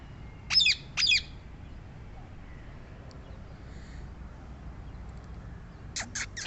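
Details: Rose-ringed parakeet giving two harsh, grating screeches in quick succession, a quiet pause, then a short rapid burst of three shrill notes at the end.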